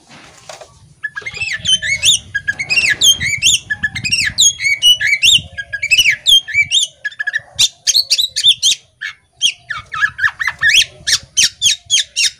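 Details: Female poci-type Oriental magpie-robin chattering with tail spread: after a brief quiet start, a long fast sequence of curved whistled notes, then many short sharp clicking chips repeated rapidly, over a soft low background hum.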